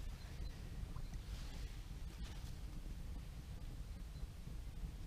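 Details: Steady wind rumble and lapping waves with boat noise on open water, no animal voices heard.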